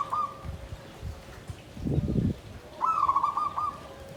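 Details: Caged zebra dove in a bamboo cage, singing in the klabang kapipit, tumpang sari style (klarr kete kuk kuk): two short, mid-pitched, rolling cooing phrases, with a soft thump between them and faint background noise.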